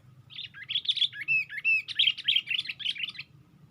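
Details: Perched on a branch and lifting its wings, a sooty-headed bulbul sings one lively phrase of rapid chirps mixed with a few clear, level whistled notes, lasting about three seconds, faint low hum behind.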